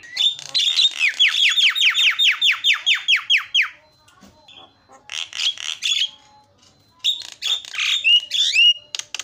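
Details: A Javan myna call meant to provoke silent mynas into calling: a long rapid series of rasping downslurred notes, a pause, then bursts of squeaky chattering and whistles.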